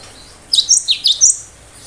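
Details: Cinereous tit singing in the 'tembakan tajam' (sharp shots) style: a quick burst of five sharp, high, piercing notes in under a second, with a quiet background.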